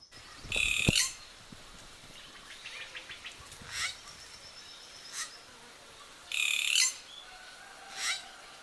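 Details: Racket-tailed treepie, a breeding resident, in a garden in western Thailand, giving two harsh, rasping bursts about six seconds apart, with shorter sharp metallic notes between them, over quiet background hiss.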